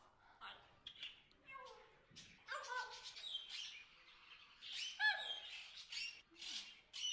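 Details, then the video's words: Wild macaws, described as hungry, in the Amazon rainforest: a run of harsh, squawking calls with overlapping raucous notes and some higher chirps, several birds calling over quiet jungle background. "hungry Wild Macaws in the Amazon Jungle Rainforest Nature Sounds"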